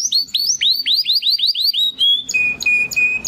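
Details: Young male Timbrado canary, one of two caged brothers hatched in 2020, practising song after its first molt: a run of rapid downward-sweeping chirps, then a steady high whistle and a repeated metallic trill.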